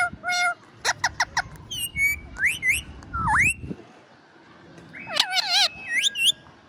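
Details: A freshly woken pet parrot whistles a varied sequence: short pure notes, a run of quick clicks, upward-swooping whistles, and warbling trilled tones near the end, with low background rumble.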